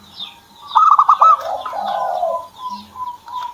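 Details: Owner's zebra dove opens with a rapid rattling run of notes, then drawn-out softer lower cooing, with light high chirping from other birds around.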